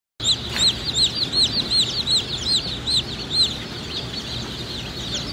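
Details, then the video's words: Black Australorp chicks at a hatchery peeping: clear, high, arched peeps about two or three per second, sliding up then down, over a low steady hum. "Black Australorp Chicks"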